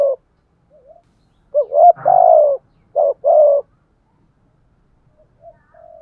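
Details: Spotted dove used as a decoy bird, giving a lively coo: a short rising note then a longer falling coo, repeated in quick pairs, with faint soft notes between phrases and otherwise quiet surroundings.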